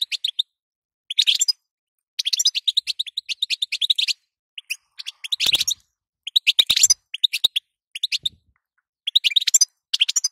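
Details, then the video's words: Batbata and sitsita calls of a female European goldfinch, used to get the male singing; energetic high twitters and chirps in repeated bursts roughly every second, fairly steady throughout. "ستسته وبتبته تخلي حسونك نار"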